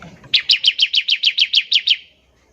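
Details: Bar-winged prinia trilling in ngebren style to stir other prinias into song: a single clear string of about eleven sharp, high chips over one and a half seconds, slowing slightly at the end.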